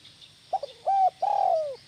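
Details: Spotted dove cooing to get other doves calling: one phrase of a soft short coo, a clear steady coo, then a long falling coo, low-pitched and hollow.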